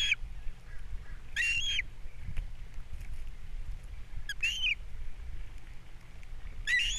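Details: Wild osprey pair at a nest on Captiva, April 3, 2022, caught by a nest camera as the male brings in a fish for breakfast and the female feeds the chicks; short bursts of high, thin chirping calls over steady low wind rumble.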